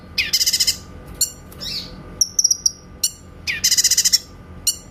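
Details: Grey-cheeked bulbul (cucak kinoy) delivering 'tembakan' shots for shama training: two fast rattling trills of high notes separated by brief chips and a short whistled phrase.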